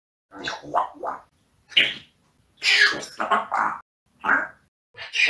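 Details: A pet parrot talks in Russian in short, raspy, word-like bursts separated by brief pauses, bantering about likes and demanding watermelon.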